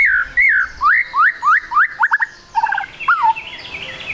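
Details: White-rumped shama trotol song used as a lure so other birds start singing: a quick run of rising, slurred whistles repeated about every quarter second, then a buzzy chattering burst and a falling whistle.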